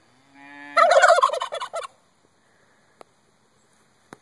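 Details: Domestic turkeys gobbling in reply to cows mooing, which they do every time: a low steady moo with a level tone, then a loud rapid burst of rattling gobbles lasting about one second, followed by two faint clicks.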